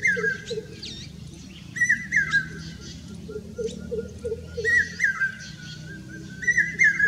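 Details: In Rajasthan, India, a common hawk-cuckoo gives bursts of shrill whistled notes, each burst rising then dropping, repeated about every one and a half seconds, while another bird twitters lower down and a faint hum continues.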